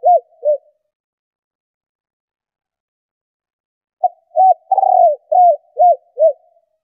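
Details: Female spotted dove cooing to stimulate males. Two short soft coos, a pause, then a phrase of low hooting notes with a rolled middle note. The notes are evenly spaced at about three per second. The background is quiet.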